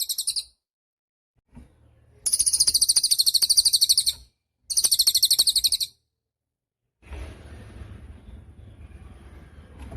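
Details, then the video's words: Cililin bird in active song, used as a master recording for songbirds: two short, high, rapidly pulsed trills of about two and one seconds, followed by a stretch of faint hissing noise. "Suara Cililin Burung Gacor"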